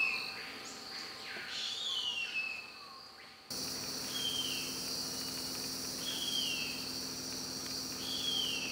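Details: Female harpy eagle calling for the male around and inside the nest in Carajás National Forest, Amazon Forest: thin, high whistled calls sliding downward, repeated about every two seconds over a steady loud insect chorus, with an abrupt change in background partway.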